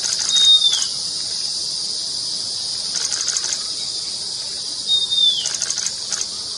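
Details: Long-billed wren-babbler in the Mishmi Hills, Arunachal Pradesh, giving two thin, high, gently falling whistles about four and a half seconds apart, over a steady high insect drone.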